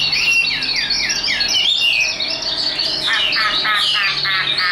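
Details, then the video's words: A tame, hand-trained Chinese hwamei kept in a cage sings a string of falling whistled slurs, then switches to fast buzzy trilled bursts repeated several times. "Họa mi số 1129 Chim thuần sách tay hót cao cầu đấu tốt"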